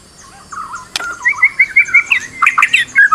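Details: Stressed white-rumped shama used as a lure for another bird to sing; soft warbled notes, then a sharp click, then a run of quick repeated whistles rising in pitch and turning choppy.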